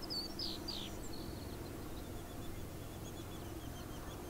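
A Bobolink gives a quick burst of bright, metallic, bubbling notes in the first second, then fainter scattered notes over a steady low rumble.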